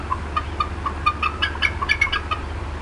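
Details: Agitated adult female bald eagle at the Decorah North nest, 18 April 2016 afternoon; a quick run of chittering clucks rising slightly in pitch toward the end, about five notes per second, over a low steady rumble.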